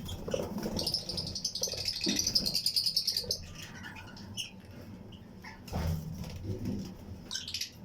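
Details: Fischer's and lutino lovebirds in pairs in a flight colony aviary, singing along with other birds; a rapid high buzzy chirping trill runs for about two seconds, followed by scattered short chirps over a low background rumble.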